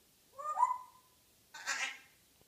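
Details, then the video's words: Morning chatter of a pet African grey parrot, female: a smooth harmonic whistle wavering in pitch, then after a brief pause a longer raspy, noisy squawk. "Hilarious African Grey Chatterbox"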